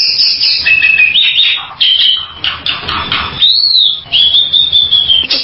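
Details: Bali myna making harsh, hissing calls mixed with long, slightly wavering whistles and an arched whistled note, loud and high against a quiet background.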